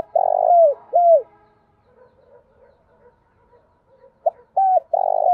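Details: Spotted dove decoy cooing for attracting wild birds. A rolling low coo ends one phrase with a falling note. After a pause with faint soft sounds, the next phrase starts with short clipped notes and a long burred coo.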